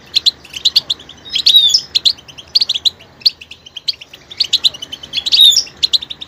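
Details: Goldfinch with a diverse, varied singing style: rapid high twittering phrases mixing sharp chirps with short liquid, warbling flourishes, delivered in quick clusters with little pause.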